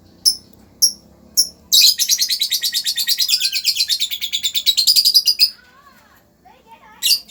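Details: Lovebird giving three sharp high chirps, then a fast buzzy chatter of about thirty pulsed notes over four seconds, followed by faint lower squeaks and a final chirp.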